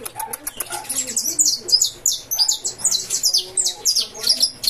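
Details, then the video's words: Saffron finch (canário da terra) from a breeder, singing in the fibra style: rapid, high, bright chirps and trilled phrases repeated in quick bursts, with faint clicks and low background noise. "canário da terra cantando"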